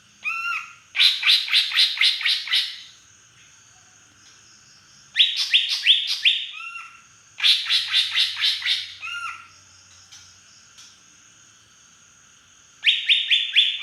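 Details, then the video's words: Wild-type green leafbird from the Beutong forest, Aceh, singing with fill-in phrases imitating a drongo: four bursts of rapid, loud chattering whistled notes, each lasting one to two seconds, separated by quiet pauses of several seconds. "cucak ijo big asli aceh hutan beutong,suara isian srigunting"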